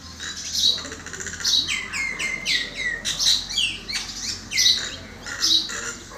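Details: Common myna in varied song, with a run of clear whistles sliding downward, interspersed with sharp high chirps and scratchy notes, continuous and lively.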